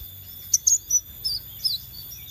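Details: Scarlet minivet lure recording: a few brief, very high, sharp chirps and short warbled notes, spaced irregularly over about two seconds, over steady high-pitched tonal hums and a faint low rumble.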